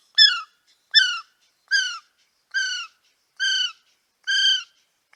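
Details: Male kiwi at Paignton Zoo calling in a steady series of shrill, downslurred whistles, six notes spaced under a second apart, with no other sounds.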